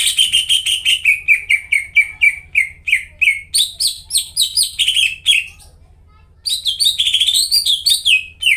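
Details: A singing greater green leafbird, used to stimulate silent leafbirds, delivers a long, steady series of falling whistles, some rising briefly higher. After about a second of silence, a quicker and higher warbling run follows, with a faint low hum throughout.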